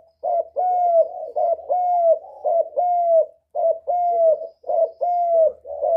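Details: Spotted dove calling to stimulate birds: steady, almost continuous cooing, phrases of a stuttered short note plus a long, bowed hoot, repeated roughly once a second without pause.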